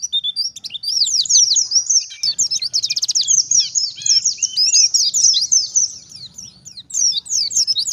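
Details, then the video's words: Oriental white-eye singing in wild style, a lure for wild white-eyes: long high twittering mixing rapid trills and slurred chirps, briefly quieter near the end before resuming. "BURUNG PLECI gacor ngalas nembak || PANCINGAN PLECI NGALAS"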